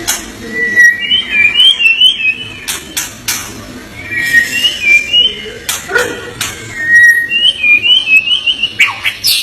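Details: White-rumped shama repeating bright, warbling whistled phrases in bursts about two seconds apart, with sharp clicks between phrases and a steady faint hum.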